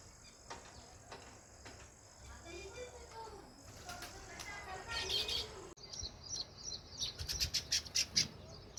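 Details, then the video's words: Natural sparrow chirping: low soft cooing sounds first, then a quick series of bright, sharp, high chirps in an uneven run, with a steady high background drone. "Natural Sparrows Chirping Sound"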